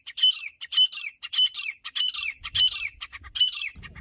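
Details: Grey francolin (teetar), village style: a steady run of shrill, scratchy repeated call phrases, about two per second, high-pitched and strident, with faint low rumbling beneath toward the end.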